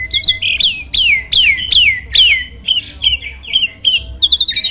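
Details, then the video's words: Loud-voiced champion starling kept as a master bird for training contest songbirds: a series of high, down-slurred whistled notes repeated roughly every half second, ending in quick bright chirps. "MASTERAN BURUNG JALAK SANG JUARA!!"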